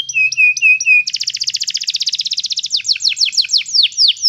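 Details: Singing canary, for training a young canary's song: a few even, flat piping notes, then a dense, fast buzzing trill, slowing into separate, clear falling whistles near the end.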